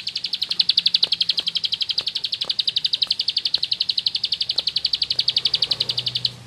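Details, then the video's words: Bar-winged prinia in ngebren song: one unbroken, rapid trill of sharp high chips lasting over six seconds at a steady, machine-like pace, ending abruptly. "Suara Burung Sawah Receh Nembak Ngebren // Ciblek Sawah"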